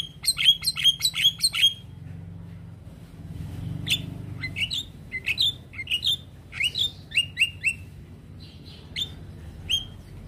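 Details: Javan myna call, full of varied filler notes, used to make a silent myna react with sudden stress. Sharp high chirps in fast runs, then scattered bright squeaky and twanging notes with short pauses, over a low background hum.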